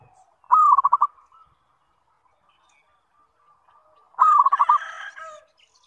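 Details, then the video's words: Zebra dove giving its lure call twice, about four seconds apart. Each is a short rising coo that dissolves into a quick string of soft pulsed notes. The second call carries a rougher, buzzier overlay. "SUARA PANGGILAN PERKUTUT - PANCINGAN SEMUA JENIS PERKUTUT"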